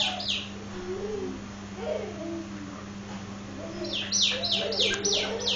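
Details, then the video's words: Nias hill myna producing quiet low warbled murmurs, then a run of bright downward-slurred whistles repeated about twice a second near the end, over a constant low hum. "Burung Jalak nias"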